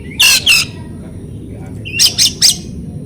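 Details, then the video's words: Oriental magpie-robin lure song for muted birds. Two loud, harsh rasping notes are followed by a pause, then a short rising whistle leads into three more harsh bursts. "PANCINGAN BURUNG KACER cocok buat kacer bisu kacer macet bunyi kacer stres LANGSUNG NYAUT"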